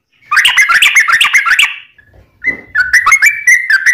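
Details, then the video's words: Yellow-vented bulbul long continuous song used to train birds and lure wild bulbuls: rapid bubbly whistled notes around two kilohertz, a brief pause near two seconds, then the chattering phrases resume. "Kicau Trucuk Ropelan Panjang Ngelituk Tanpa jeda buat Masteran"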